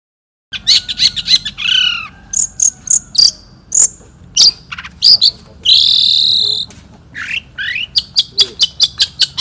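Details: National champion Long-tailed shrike singing in the 'satu titik' style, 2016: a varied medley of high sharp chips, buzzy whistled slurs and a long rasping note, ending in a quick run of evenly spaced short clicks.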